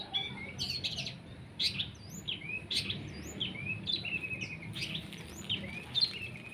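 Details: Long-tailed shrike being sun-bathed and misted with a spray bottle gives a busy mix of sharp chirps, upswept whistles and trilled phrases, notes tumbling one after another over a low background hum.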